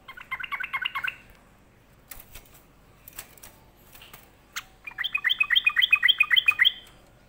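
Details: Sulking sooty-headed bulbul producing a quick burst of chattering notes, then scattered clicks and knocks, then a longer louder run of rapid repeated chirps.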